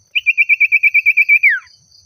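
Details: Common iora (sirtu/cipoh) singing eagerly while calling out to a rival: a rapid run of about twelve identical bright chipping notes, then a final note that slurs smoothly downward.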